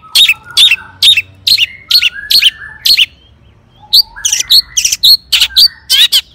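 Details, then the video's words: Long-tailed shrike song, played as a lure to excite other shrikes into singing: sharp, hooked high notes repeated about twice a second in two bursts, each note with a sliding tail, separated by a short pause. "cendet gacor AMPUH TOET TOET PANCINGAN CENDET AGAR BUNYI"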